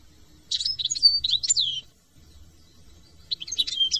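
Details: European goldfinch from France singing a bright, high twittering phrase of quick liquid trills and sweeping whistled notes lasting over a second, a short pause, then another burst begins, with faint low background rumble.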